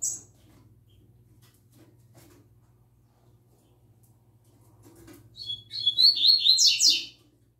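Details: Young double-collared seedeater, a novice bird learning the "tui tui zel zel" song: after several seconds of near quiet with faint clicks and steady low hum, a bright burst of buzzy, rapidly repeated whistled notes starts late and runs about two seconds.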